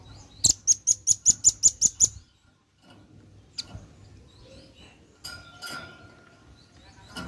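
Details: Male velvet-fronted nuthatch calling out to its companions: opens with a fast string of eight piercing, high-pitched chips, then falls mostly quiet apart from a few scattered faint notes and soft background sounds.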